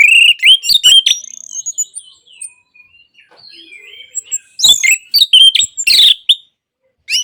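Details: Orange-headed thrush song offered as therapy for birds that stopped singing: loud twisting whistles and chatter at first, a quieter stretch of thin notes, then another burst of sharp varied phrases.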